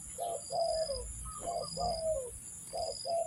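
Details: Spotted dove coos used to lure doves for trapping: three paired phrases, a brief hollow note followed by a longer one that falls in pitch, over a constant thin high drone.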